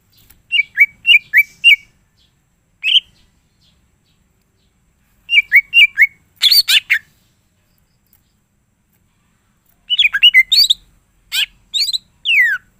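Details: Greater green leafbird in full song with mimicked phrases, used to get other leafbirds singing: short clusters of sharp, high, slurred chirps and buzzy chatter in bursts, separated by pauses of a second or more.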